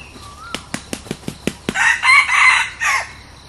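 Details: New decoy red junglefowl cockerel being tried out: a quick series of about six sharp wing-flap claps, then a harsh, hoarse crow in broken segments, with a faint thin whistle before the claps.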